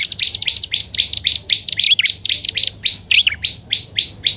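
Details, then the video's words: A prinia used as a lure sound gives a quick run of sharp chirps, then settles into a steady series of clipped notes, about two per second. "SUARA PIKAT BURUNG PRENJAK ALANG ALANG+PRENJAK ATAS DAN BAWAH"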